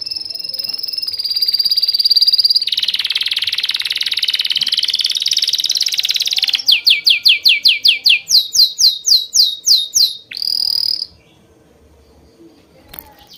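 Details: A songbird chirping: a steady high trill gives way to a broad buzzy passage, then a fast series of about fifteen sharply descending whistled notes and a short bright trill, followed by near silence.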